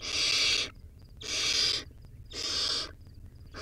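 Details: Young wild barn owl at its nest, eating a rodent: three loud, breathy screeching hisses about half a second each, spaced around a second apart, with soft high clicks between them.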